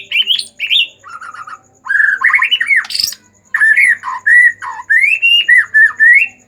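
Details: Agitated White-rumped shama song, meant to stimulate other shamas to sing: loud, rich whistled phrases mixing rising and falling slurs, rapid chattering notes and one sharp high squeak, in several bursts with short pauses.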